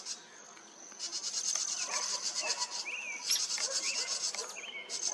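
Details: House Wrens in a nearby tree give harsh, buzzy chattering alarms at a red fox sitting close by in July 2023, with brief whistled notes from other birds.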